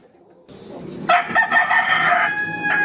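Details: Rooster crowing to challenge a rival to fight: after a quiet start, a loud harmonic crow begins about a second in, holds steady, then breaks off, and a short final burst follows near the end.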